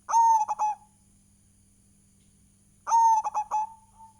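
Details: Indonesian local zebra dove in a lure recording: two phrases about three seconds apart, each a long smooth coo followed by three short punchy notes, with a faint electrical hum beneath.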